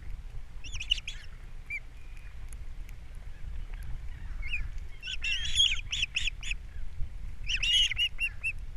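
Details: Ospreys on Captiva, morning of April 3, 2022, as the male arrives with fish and the female feeds the young. Brief chirps lead into two dense flurries of shrill, quickly repeated whistles near the end.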